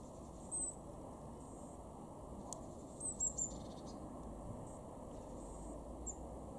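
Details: Eurasian blue tit, a garden bird in Weener, East Frisia, far northwest Germany, in February 2023: very high, thin, brief notes, with a quick run of three near the middle, over a steady low background rumble.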